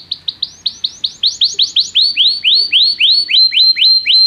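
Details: Canary song used to call another canary to sing, as song training: a steady series of about twenty upward-curving whistled notes, gradually quickening and growing louder.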